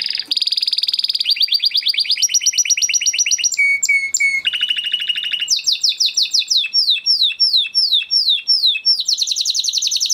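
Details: Crested Spanish Timbrado canary from 2020 breeding, kept in a flock, singing a training song: long chains of fast trills shifting pitch, short metallic notes, then repeated sharply falling slurred phrases and a final rapid trill.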